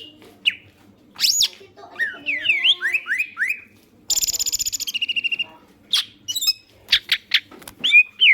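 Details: Green leafbird in active song, used to prompt other birds to sing: sharp rising whistles and slurred notes, then a fast, buzzy, stuttering rattle lasting over a second, then more scattered high whistled notes.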